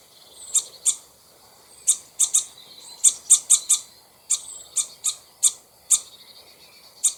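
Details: ['Common starling calling in alarm near its nest high in a tree before a bird of prey strikes: short, shrill, very high ticking notes, irregularly spaced and at times bunched in rapid threes.']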